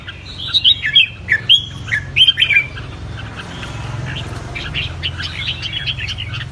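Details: Caged chào mào, the red-whiskered bulbul, in Vietnam, trained for fighting song: loud clear bursts of warbling whistled phrases in the first three seconds, then softer distant chirping over a low mechanical hum.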